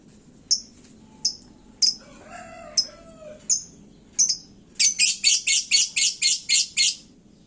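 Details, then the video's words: A hung-up caged lovebird in heated song that provokes other birds gives sharp, isolated high chirps. These give way to a fast run of about ten loud ringing notes, with a faint rooster-like call in the background. "Suara lakbet gantang panas, bikin burung lain emosi"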